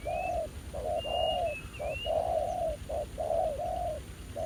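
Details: Spotted doves at a trapping site with a ground decoy and a spirited new wild male. Dense low warbling coos, some long and level, fill the clip, while a thin high whistled call from another bird sounds early on.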